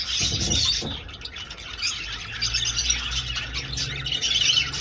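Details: Aviary budgerigars in flight produce overlapping shrill squawks and rapid twitters, with a low rumble and bumps at the start and a faint low hum later.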